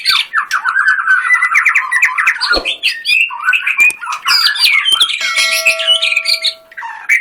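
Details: Contest-grade white-rumped shama delivering 'tembakan' bursts: harsh rapid chatter mixed with sweet whistles, a brief break near the middle, then rising squeaky phrases and a steady tone.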